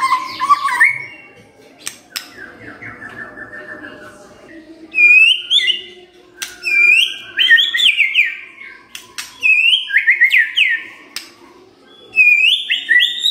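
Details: Morning white-rumped shama song meant to prompt a silent bird to reply: clicks and a soft trill, then loud repeated phrases of sweeping whistled notes arriving every second or two.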